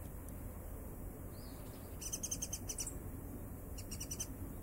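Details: Warbling (Japanese) white-eye visiting a garden in winter, February 2012, in Japan: two quick bursts of thin, high chirps, each a rapid run of short notes, over a steady low background rumble.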